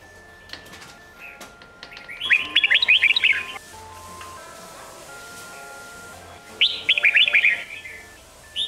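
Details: Red-whiskered bulbul singing in the Sông Kôn style, used to train young birds for competition singing: two bursts of rapid, bright chattering notes rising and falling, separated by a quiet pause, over a faint steady tone and low hum.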